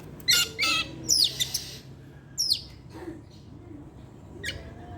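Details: Evening song of a caged Oriental magpie-robin: loud buzzy bursts and sharp downslurred whistles separated by pauses, over a low background hum.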